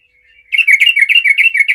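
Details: Yellow-vented bulbul singing loudly to challenge rivals and make other bulbuls reply: a soft lead-in, then a rapid, rolling series of rich warbled notes that rise and fall in a steady, bouncing rhythm.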